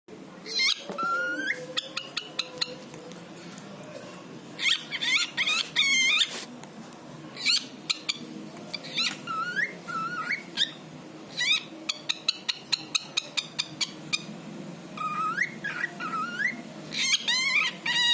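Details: A pet talking cockatiel chatters and whistles in bright, looping bursts with sharp chirps between phrases.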